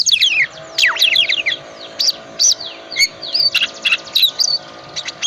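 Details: Lure song of an Oriental magpie-robin, full of fills, meant to set off a hard-to-start bird: quick descending sweeps and chattering notes, then spaced sharp whistles and chirps, with a faint constant hum beneath.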